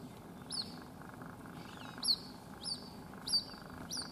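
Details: White-breasted waterhen chick, unable to fly and separated from its mother at a house in Rajasthan, India, calling non-stop: high, thin cheeping notes that dip, about one every 0.6 to 0.7 seconds, over a low steady background hum.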